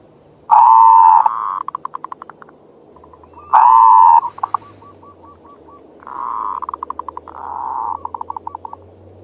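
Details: Local perkutut, the zebra dove, singing manggung to arouse other doves: two loud sustained coos each breaking into quick pulsed notes, followed by softer coo phrases with staccato tails, over a low hum and a faint high whine.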